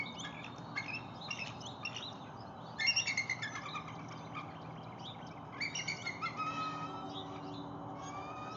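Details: Adult bald eagle on a lake, calling after catching a fish while a juvenile approaches hoping for a bite; bursts of high, chirping, chittering notes come in groups, the loudest series near the middle and another toward the end, over low background rumble.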